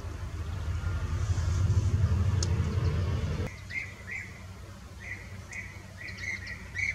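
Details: Fieldfares eating berries in the Eifel give short, clipped chattering notes in quick bursts, after a few seconds of loud low rumble like traffic or wind.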